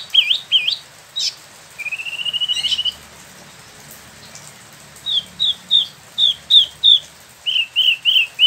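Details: Spot-throated babbler, a pet wambi mini in Bandung, West Java, brought from mainland China or Vietnam and just through its moult, in ngeroll song: looping whistles, a long rising trill, then a steady series of short downslurred notes repeated about twice per second.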